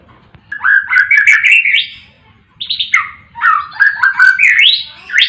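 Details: White-rumped shama singing in a collection meant to tutor and provoke quiet captive shamas into song: two energetic bursts of varied whistles and harsh chattering notes, swooping up and down in pitch, with a faint low rumble beneath.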